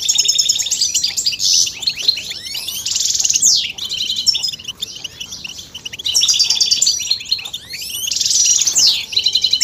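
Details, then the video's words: European goldfinch male breaking its silence in response to stimulating mating calls, singing long runs of tinkling twitter broken by rasping buzzes and sweeping downslurred whistles, pausing briefly between phrases. "بتبتة فتاكة وفعالة في تحفيز الحسون على التغريد والهيجان والخروج من الستريس"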